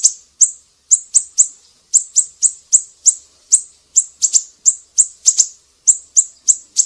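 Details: Black-naped Monarch, used as tutor audio for songbirds, calling with crisp, high, slightly ringing chirps at a brisk, uneven pace, occasionally doubled, against a clean silent background.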